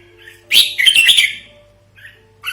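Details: Red-whiskered bulbul lure call, used for luring and as a tutor model for training birds: a dense burst of bubbly, chattering high notes lasting about one second, then short faint notes, over a steady low hum.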